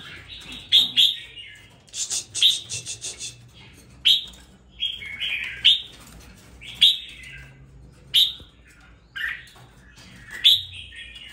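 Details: Red-whiskered bulbul in captivity, raised for two weeks and beginning to sing with spirit: short sharp whistled phrases repeated roughly every second or two, each opening with a high bright note and falling into slurred warbles.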